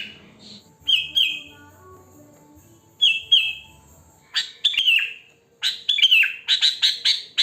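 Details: Wild sooty-headed bulbul giving natural song meant to lure bulbuls: two brief clear whistled notes, then a burst of rapid chattering notes and a falling liquid phrase, over a faint steady low tonal background.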